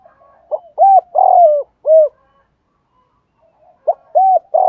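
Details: Decoy spotted dove cooing to attract other doves: a phrase of short arched hoots plus one longer drawn-out coo, a two-second silence, then the phrase begins again with similar clipped low notes; background otherwise quiet.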